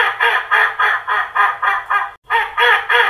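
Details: An angry duck gives a rapid run of harsh, raspy quacks, about three or four a second, with one brief pause; nothing else is audible.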